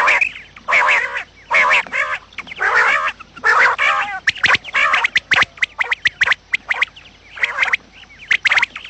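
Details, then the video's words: Quails calling in the morning, a lure recording for trapping: dense rasping squawks early on, giving way to rapid sharp clicks and brief chirps packed close together. "batair Subha ki awaz | quail sound effect"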